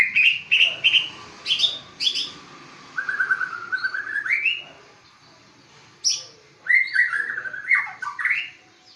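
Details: Aceh white-rumped shama with competition pedigree: crisp chattering notes, then a rolling series of rising whistles, a brief silence, and a final burst of loud fluty slurs.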